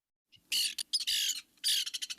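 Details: Lewis's Woodpecker contact calls as mates meet at the nest tree when bringing food to the incubating female or nestlings: two drawn-out harsh, grating squawks, then a quick run of short scratchy chatters.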